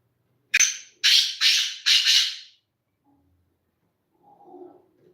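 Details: Black francolin delivers a crisp grating call: an initial sharp note and three broad rasping bursts, then quiet with a faint low rumble of voices.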